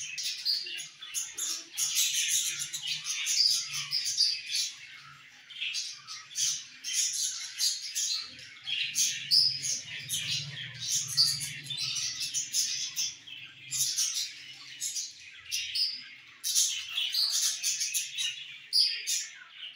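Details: Pet budgerigars chatter continuously with rapid, scratchy, high-pitched chirps and warbles, busy and lively.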